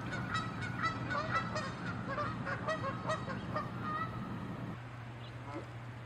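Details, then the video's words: Canada geese fighting and chasing one another, angry and territorial; a dense run of overlapping harsh honks with a constant low hum underneath, the calling easing off near the end. "Geese fighting & honking loud sounds"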